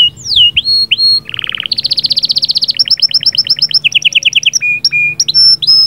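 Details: Singing canary used to stimulate the female: a sweeping whistle, a low buzzy rattle, a long fast rolling trill, chattering paired notes, then clipped high whistles and short sharp calls.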